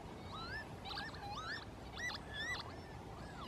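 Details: Mediterranean gulls at the Grulleros gravel pit in April 2016: several overlapping nasal, rising and falling yelping calls from a number of birds, over a steady low background rumble.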